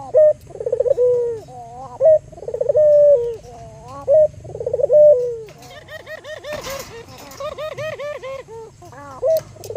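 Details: Albino local Barbary dove used as a lure to stimulate other doves. Rolling, pulsed coos with smooth falling endings repeat every two seconds, then a burst of rapid, rich repeated notes and brief noise.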